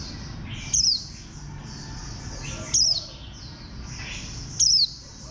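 Warbling white-eye giving three thin, high, downslurred notes, spaced about two seconds apart, over a steady low hiss.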